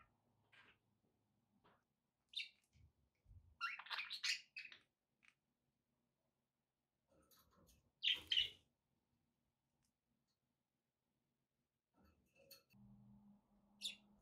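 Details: Budgerigars give sparse chirps with long quiet stretches between them. There is a scratchy cluster around the middle and another sharp burst later, with a low hum near the end.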